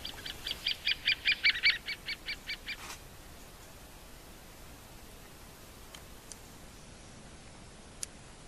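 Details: Great spotted woodpecker giving a rattling series of about eleven sharp notes over roughly two seconds, loudest in the middle, followed by a quiet stretch with faint ticks.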